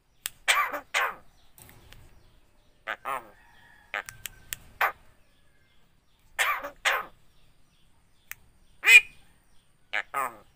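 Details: Talking Javan myna imitating speech and a cough: brief raspy, voice-like syllables in pairs and clusters, spaced by quiet gaps of one to two seconds, with faint low rumbles between them.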